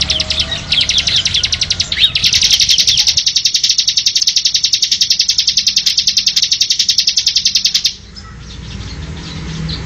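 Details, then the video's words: Masteran recording of a ciblek (Bar-winged prinia): a few scratchy chirps lead into a long, even, very high rattling trill lasting nearly six seconds before breaking off, leaving quiet background hiss. "SUARA BURUNG CIBLEK UNTUK MASTERAN FULL DURASI"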